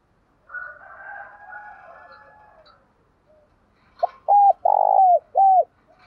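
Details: Decoy spotted dove cooing to provoke newly caught doves into calling and fighting. After faint, drawn-out tonal sounds, a clear phrase arrives: a short note, two hooked coos and a long rolling coo, ending in another hooked note.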